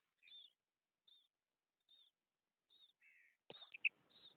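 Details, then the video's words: A female quail gives short, thin, high chirps roughly once a second, with a lower buzzy note, then a sharp knock and faster chirping; female quail call. "female quail call"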